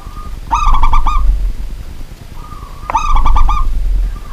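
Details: Local zebra dove in steady nighttime song, a kept bird; two stuttered coo phrases about two and a half seconds apart, each of quick ringing pulses, over a low rumbling background noise.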